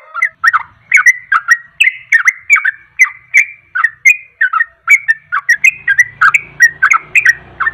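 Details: Sooty-headed bulbul song used to provoke other birds into singing: continuous rapid bubbly, whistled phrases repeated several times a second, with a low hum entering near the end.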